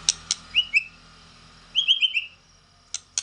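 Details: White-rumped shama giving a fighting song: short bursts of bright, slurred whistled notes in quick runs of two to four, with sharp clicking ticks before and after, in otherwise quiet surroundings.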